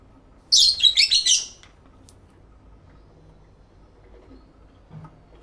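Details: Lovebirds singing and talking to each other, captured in stereo with two external microphones: a quick cluster of about six shrill, high chirps packed into one second, then quiet with faint low background rumble.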